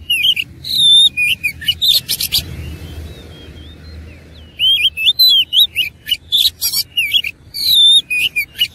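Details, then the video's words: Oriental magpie-robin, fighting song with dense bursts of sharp whistles and rasping notes, a brief lull with faint soft whistles, then another long rapid stream of varied chatter and slurred whistles. "KACER ISIAN MEWAH NGOTOT GACOR TARUNG"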